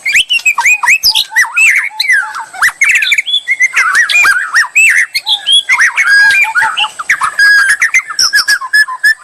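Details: White-rumped shama song used to provoke another murai into singing boldly; dense, continuous outpouring of looping whistles, slurs and harsh notes with little pause.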